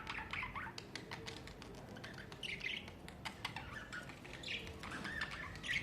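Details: Budgies kept at home in summer chatter with clicking notes and squeaky warbled chirps in short bursts, a few wing flutters among them.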